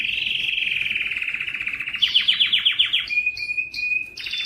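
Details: Distinctive canary in full song, used to stimulate males: a smooth descending roll, then quick repeated swept notes, followed by short clipped whistles and a bright final burst.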